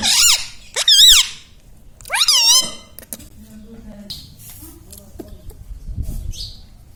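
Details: Talking pet Indian ringneck parrot, known for saying mummy, papa and radhe radhe, gives two quick wavering vocal bursts early on, then the room falls mostly quiet with faint background murmur.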